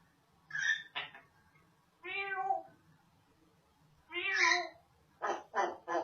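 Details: Indoor pet African grey parrot, female, that talks, barks and sneezes: clipped harsh notes, a wavering whine, another rising whine, then three short barking yaps in quick succession.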